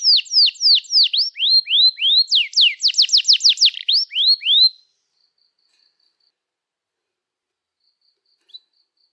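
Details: Canary singing to prompt young or silent canaries into song. Downslurred whistles repeat at a steady pace, then a tight burst of sharp falling notes, more whistles, and about four seconds of near silence with one faint note at the end.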